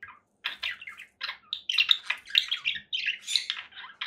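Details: Conure parakeet keeping up steady scratchy chatter, harsh notes tumbling quickly one after another with few breaks.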